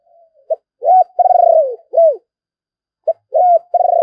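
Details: Spotted dove used as a decoy, doing its thúc and calling coos: a clipped note, an arched coo and a long trilled descending note, then a round coo. After a pause another phrase begins.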